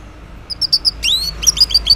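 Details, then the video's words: An orange-headed thrush sings in the morning, a lure for males that stay silent: a run of thin high ticks, a long rising-falling whistle, then rapid high chips repeated. "Cocok Buat Pancingan ANIS MERAH Ngeplong di Waktu Pagi Hari Yang Macet yang Bisu Kalo Jantan Nyaut.."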